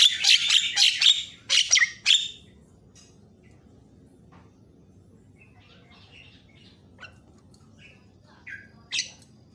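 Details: Javan myna song in a training recording for other birds, described as varied and said to rouse other mynas. Rapid loud rasping chatter fills the first two seconds, followed by quiet scattered chips and one late squawk.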